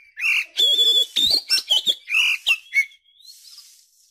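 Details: Oriental magpie-robin song played as a lure to get young birds singing and to tutor them: loud rich whistled phrases, looping slurred notes and sharp chips in quick succession, then a faint hiss at the end.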